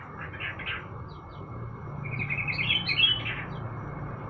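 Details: Sooty-headed bulbul sunned in the morning: brief chirps at the start, then a rising run of rapid notes breaking into loud, bright whistled phrases, over low continuous background noise.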